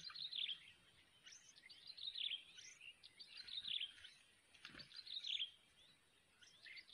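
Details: Recently hatched yellow-vented bulbul nestlings being fed by a parent in the wild, giving bursts of high, squeaky chirping that come and go in uneven waves, with a brief faint knock partway through.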